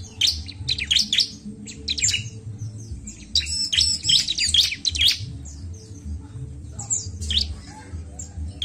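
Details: Bar-winged prinia song meant to stimulate birds, lively bursts of high chirps and fast buzzy trills, including a dense ringing trill near the middle, over a continuous low hum.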